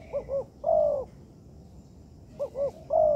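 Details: Spotted dove (tekukur) phrase used as training material in an artificial yard: two quick soft rising notes then a long descending coo, repeated after a pause of over a second.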